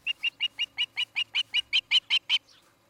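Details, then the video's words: Osprey calling at its new nest in Charlo, Montana, recorded by a nest cam on 17 August 2018 in the evening: a dozen sharp whistled chirps, about five per second, growing louder toward the end. "Osprey Nest"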